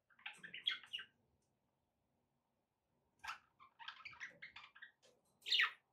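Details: Pet budgerigars giving soft, scratchy chirps and warbled notes in two brief clusters separated by a silent pause. A single sharp, higher squeak comes at the end.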